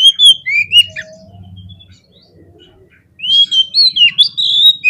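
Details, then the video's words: Kacer, the Oriental magpie-robin, in a combative lure song: bright whistled slurs at the start, a faint low hum during a short lull, then a fast, loud return of looping whistles. "SEKALI PLAY KACER KALIAN PASTI LANGSUNG NGOBRA !!! KEPANCING EMOSINYA FULL FIGHTER"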